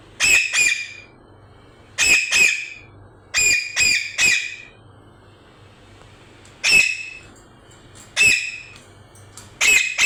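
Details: Parrot calling with loud, harsh squawks, mostly in pairs, repeated in bursts about every one to two seconds over ten seconds, with quiet gaps between.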